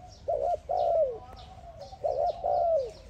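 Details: Spotted dove calling to another dove: two low cooing phrases, each a short doubled coo followed by a longer coo that slides downward, about 1.7 seconds apart, over steady low background hum.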